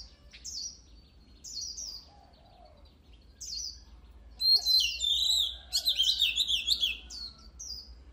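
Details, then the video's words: Oriental magpie-robin song for stimulating birds before competitions: spaced falling high whistles repeated about once a second, building into a loud, dense stream of fast warbled and trilled phrases. "Luyện giọng chòe than HÓT HAY || Kích chòe than hót căng lửa || Suara Burung Kacer Gacor"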